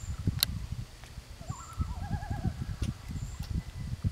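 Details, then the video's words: Loon answering other loons: a brief wavering, quavering call that rises and then trembles for about a second, over a steady low rumble of wind or water. "Loon other loons call"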